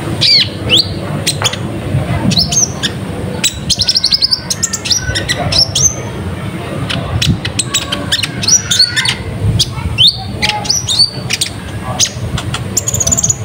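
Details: Lure recording of a vigorous, nonstop Van Hasselt's sunbird (konin) song, used to draw wild birds to answer and gather: dense, rapid high chirps, sharp ticks and thin whistled notes tumbling over each other, with a steady low background rumble.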